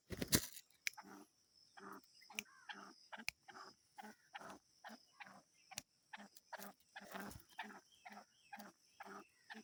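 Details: Black francolin, described as angry, giving a fast series of short, harsh, grating notes, about two each second, with rasping low tones under a steady high hiss.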